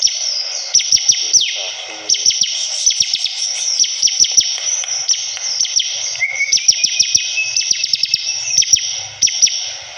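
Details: Bar-winged prinia (ciblek kristal) in vigorous song: rapid high chips and twittering, a brief lower descending warble near two seconds, a thin rising whistle later, all over a persistent bright hiss.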